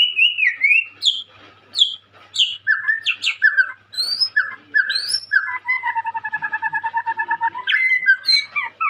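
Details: Young white-rumped shama singing energetically, a promising contest bird: varied loud whistled phrases, some falling and some upslurred, then a long fast rattling run of pulsed notes before more bright whistles.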